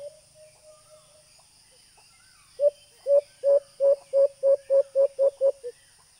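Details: White-eared brown dove call played as a hunting lure through a small Bluetooth speaker: a few soft hoots, then about eleven loud, low, hollow coos that speed up, with a steady high electronic whine throughout.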